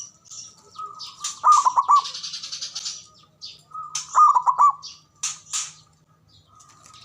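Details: ['Male zebra dove lure call for lazy, silent doves: two rippling coo phrases of rapid descending notes about two and a half seconds apart, mixed with busy high-pitched chirping from other birds']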